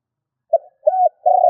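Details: Stuttering 'gù cà lăm' cooing from a spotted dove kept as a decoy: a short clipped note, a longer level coo, then a sustained low coo cut off at the end, with no other sounds.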